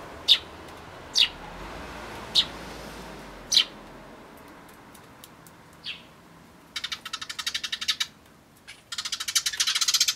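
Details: Eurasian tree sparrows feeding at a bird table on 24 May 2013: four evenly spaced sharp chirps about a second apart, a softer one, then dense rapid rattling bursts near the end.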